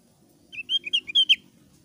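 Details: Javan grey-throated white-eye, thick-browed type, singing in a clear, loud style mixed with chatter, used as a lure to get other birds singing: six short, bright chirped notes in quick succession over a faint low hum.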